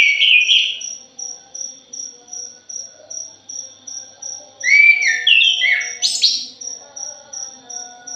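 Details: Thrush of the punglor jali type, lure recording: a whistled opening phrase, then a busy cluster of sliding, jumbled notes near the end, set against regular insect pulses throughout.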